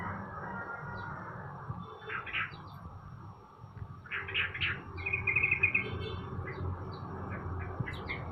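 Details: Sooty-headed bulbul, a kept bird being sunned in the morning, gives scattered short chirpy bursts near two and four seconds, then a brief rapid trilled phrase, over a steady low rumbling background with faint other chirps.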